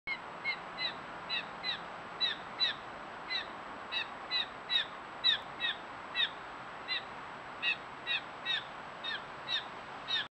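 A Blue Jay gives short, harsh, slightly descending notes, often in pairs, about two per second, over a steady hiss of background noise.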